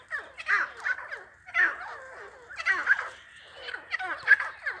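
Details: White dakhni teetar, a partridge, calling in loud harsh bursts about a second apart, each a rasping, chattering cluster of quick downward-sliding notes, with quiet pauses between.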